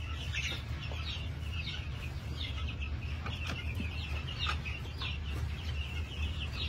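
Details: Many New Hampshire chickens on a farm in March 2021 call together: short, high, downward chirps repeated in quick succession, overlapping, with a steady deep hum behind.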